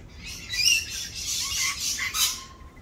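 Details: Rainbow lorikeets in mating season, more raucous than usual while doing their mating dance; harsh, buzzy screeches overlap in a continuous chattering burst with several louder peaks.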